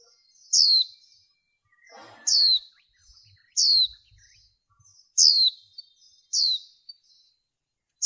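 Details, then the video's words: Female white-eye, caged, calling to stimulate males in bird training: five sharp, very high notes, each sliding quickly downward, spaced about a second or more apart, with faint rustling and low knocks between them. "khuyên mái kích trống nghe là trống mê"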